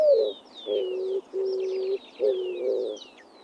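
A dove gives four low, steady, flute-like hoots, each about half a second long. Thin, high descending whistles from other birds sound faintly behind.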